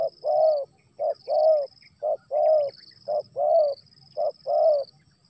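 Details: Spotted dove heard as rain starts, repeating regular cooing phrases of a brief note then a drawn-out soft coo, about once per second, with a constant thin high whine behind.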